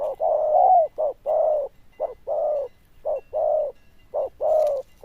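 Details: Loud, bell-style cooing of a caged Vietnamese zebra dove: pairs of a brief clipped note followed by a longer, rich, purring coo, repeated roughly every second without pause, mid-pitched and mellow.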